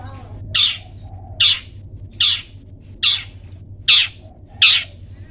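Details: Long-tailed shrike giving 'toet toet' notes, used to train pet birds to sing: six evenly spaced, grating, scratchy calls, about one every 0.8 seconds, over a quiet low hum.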